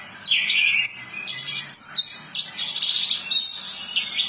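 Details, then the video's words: Javan bush lark song, known locally as branjangan: loud, high, rolling phrases of slurred whistles and buzzy notes, separated by short gaps. "Kicauan Burung "BRANJANGAN" Ngerol Nembak Mantap !!!"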